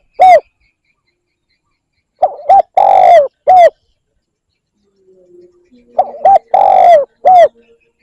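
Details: Repeated spotted dove cooing used to lure wild birds. A single coo is followed by two full phrases, each with short paired notes, a long falling coo and a crisp last note. A faint low murmur is heard between them.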